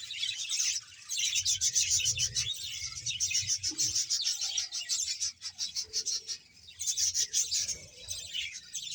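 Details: Bahawalpur budgerigar colony of roughly 100 pairs: loud pulsing bursts of chirpy chatter with brief lulls around one and five seconds, quick repeated notes and a few lower sounds between.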